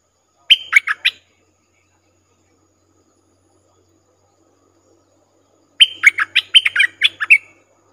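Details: Decoy streak-eared bulbul attracting wild birds, 3 June 2021: a short burst of three or four sharp, bubbly notes, a long pause, then a longer rapid run of warbled notes rising and falling.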